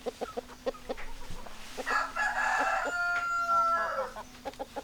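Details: Hens clucking with a rooster crowing: steady, short, low clucks repeated several times a second surround a long, loud, harsh crow in the middle.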